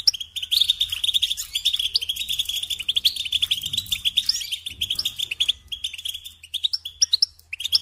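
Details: European goldfinch delivering a long, rapid twittering song of crisp chirps and trills that thins out toward the end into scattered high notes.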